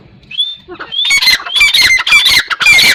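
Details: A partridge (teetar) begins with a thin whistle, then bursts into rapid, harsh, screechy calls, about two per second, each mixing rasp with high whistled tones.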